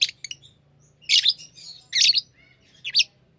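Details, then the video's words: Pet lovebirds chirping indoors: bursts of harsh, high, buzzy chirps roughly every second, with quieter twittering between them and a faint low hum underneath. "Love birds Sounds | lovebirds chirping sounds"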